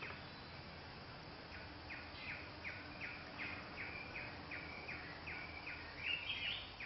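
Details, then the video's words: A Crimson-winged Woodpecker (Picus puniceus) gives a steady series of about a dozen short, high, slightly falling notes, nearly three per second, over a hiss of background noise. "Woodpecker, Crimson-winged"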